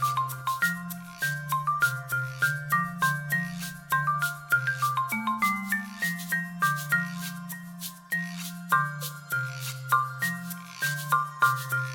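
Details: Mellow mallet-percussion music, marimba or xylophone notes over a steady low bass line, with no animal voices.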